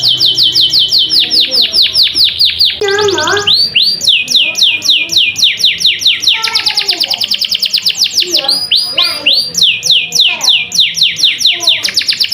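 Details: Canary in loud, continuous song: fast runs of rising, whistled notes repeated in rapid series, interrupted by brief lower rolling passages and harsh bursts, then back to bright repeated high phrases, with no other sounds evident.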